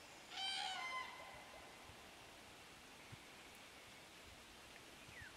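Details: Common cranes at Borki in July 2013: one loud, harsh trumpeting call, rich in harmonics and lasting under a second, at the start, followed by quiet background hiss.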